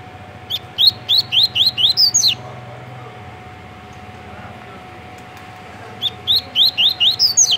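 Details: Pacific-slope flycatcher, a spring migrant in Washington State, USA. A single high, sharp upslurred note, then after a long quiet gap one faint brief high tick, in otherwise quiet surroundings.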